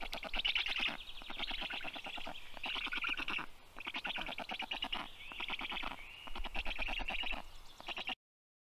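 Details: Rescued black stork chicks, 29 days old, begging while being fed in a vet clinic in Tartu, Estonia, in June; rasping pulse trains in about six bursts with low hum beneath, ending abruptly.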